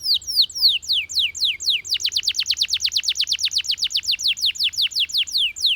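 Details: Loud, clear Russian canary song: a handful of spaced falling whistles, then a long accelerating trill of sharp downslurred notes repeated about six per second, all crisp over a quiet background.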